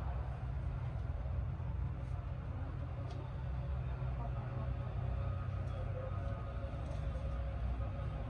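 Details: A continuous low engine-like rumble is heard with faint murmurs and no animal calls.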